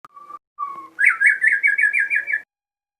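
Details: Crossbred captive shama in full song: two plain whistled notes, then a fast run of about ten bright, chattering, repeated phrases.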